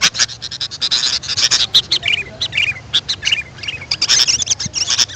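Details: Sooty-headed bulbul calls played to attract wild birds: dense, rapid clicking chatter with short wavering whistled notes slipping downward, repeated through the middle of the clip.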